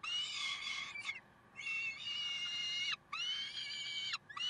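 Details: Karlsruhe peregrine falcons, 30 May 2010: long rasping wails, each about a second, rich and harsh with a faint drop at the end, repeated steadily with short pauses between them.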